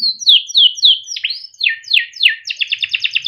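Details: Timbrado canary's melodic song for training: a series of descending slurred whistles that grow more sharply swept, ending in a quick, rhythmic run of repeated bright notes.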